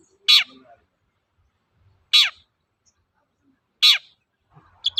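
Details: Long-tailed shrike (cendet) lure recording for training birds: three loud, raspy descending notes roughly two seconds apart, followed by a brief pair of short chirps at the end.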